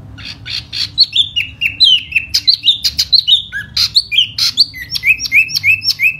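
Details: A single silver-eared laughingthrush in spring delivers 'hót xoè' singing, a rapid string of sharp chirps followed by sweet whistled downslurs, ending in a rhythmic series of evenly spaced falling whistles.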